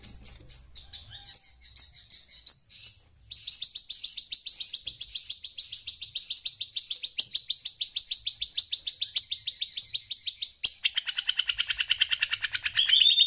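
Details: Shrike in Indonesia chattering loudly in response to audio played on a phone: a long, rapid, steady rattle of high scratchy notes, several per second, lasting about eight seconds, ending in a rising buzzy chatter.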